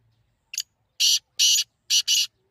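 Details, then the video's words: Teetar (partridge) calling: a brief soft double note, then loud harsh bursts, two single and one closely paired, with a clean, quiet background. "تیتر کی ایسی آواز جو آپ نے پہلے کبھی نہیں سنی ہوگی"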